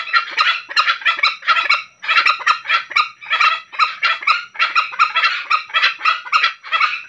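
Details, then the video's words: Tame green junglefowl from Bali in breeding season at night, giving a distinctive call: dense bursts of harsh, crackling notes repeated in rapid clusters, pausing briefly around two seconds, with several birds possibly overlapping. "ayam hutan hijau jinak bali // suara khas yg unik di saat birahi di malam hari"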